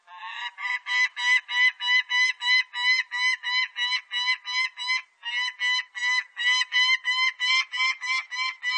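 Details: Peregrine falcon, recorded for a 2020 Korean national biological resources collection, calling in a long, insistent chain of harsh kek notes, around three per second, with one short break midway. The background is clean.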